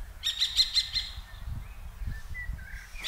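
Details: A common kestrel, one of two pairs scolding each other on 15 June 2023, gives a quick run of five piercing kee notes, then falls silent while a songbird's short whistles continue.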